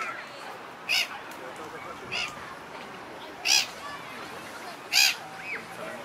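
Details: A displaying pair of black-headed gulls strut together and moan affectionately to keep up their bond outside the breeding season. Four short, harsh, rasping cries are spaced over about five seconds against a steady hiss.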